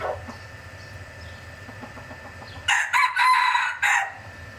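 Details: Red junglefowl hybrid rooster, about 75 percent pure, three years old, a main breeder in 2024: after quiet low hum and faint clucks, a loud harsh crow breaks out in several strident bursts lasting over a second.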